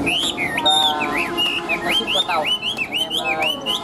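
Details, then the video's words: Chinese hwamei kept caged, tame and newly arrived, said to sing nonstop with a very loud, ringing voice; looping whistled notes, each bending up and down, repeated steadily, with low voices faintly beneath. "Chim Thuần Mỏ Ra Như Máy, Giọng Cực Vang Cực Chất"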